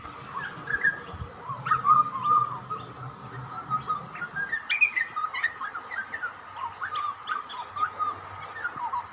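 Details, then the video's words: Two Australian butcherbirds, a young bird and an older one, chatting to each other at feeding time: soft, quiet warbled whistles and slurred notes, some rising, others falling, over a steady faint hum, broken by scattered sharp clicks and taps. "Two Birds chatting to each other during feeding ? Australian Butcherbird"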